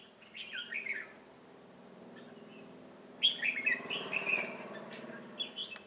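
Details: Red-whiskered bulbul used as a call bird for trapping, singing in the 'ché cười' style, recorded 25 June 2018. Two bursts of quick, bright warbled phrases, rising and falling, separated by a pause, over a steady low hum.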